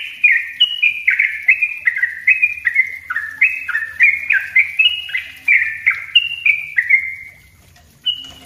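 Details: Yellow-vented bulbul in the dense 'ropel rapat' song style, used as a master recording and lure: a rapid chain of bubbly, downslurred whistled notes ending in a trailing note, then one higher note.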